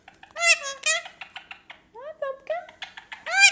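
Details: Lutino male Indian ringneck parakeet, three years old, kept as a pet indoors, talking: a run of harsh, nasal speech-like syllables with rising and falling inflections, ending in a louder squawky phrase.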